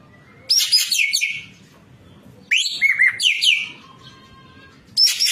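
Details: White-breasted kingfisher 'gacor full isian' song used to train caged birds. Bursts of buzzy, downslurred notes come about every two seconds, one with a rising sweep and wavering whistles, then a faint whistle before the next burst.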